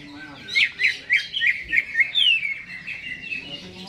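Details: Greater green leafbird in a cage before being hung up, pouring out quick chattering, slurred chirps in a dense stream, ending in softer, trailing twitters with faint background noise.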